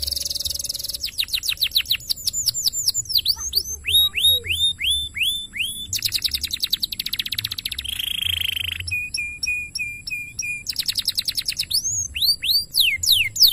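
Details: Canary singing a loud, varied song of rapid repeated trills, sweeping whistled notes and buzzy rattles, each phrase type repeated several times before switching, filling the whole passage with little pause.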